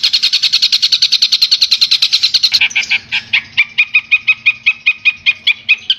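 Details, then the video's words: Madura long-tailed shrike master song for training songbirds: a rapid buzzy chatter for about two seconds, then slower, separate sharp notes repeated at roughly two per second. "Suara Masteran Burung Cendet Madura"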